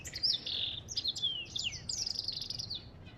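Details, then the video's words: Twittering African goldfinch song with sharp downward whistles and a sustained buzzy trill, sung fast and high. "اسمع صوت الحسون الافريقي"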